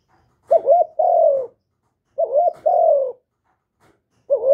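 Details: Spotted dove from Vietnam repeating its coo about 36 times a minute: two full phrases, each a quick wavering coo and a longer falling one, then the start of a third, in clean close audio.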